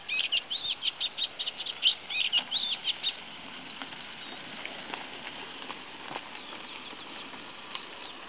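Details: Singing olivaceous warbler at Kalloni Saltpans, Lesvos, in May 2010. About three seconds of fast, jerky chattering with repeated squeaky upslurs, followed by quieter background rustling and hiss.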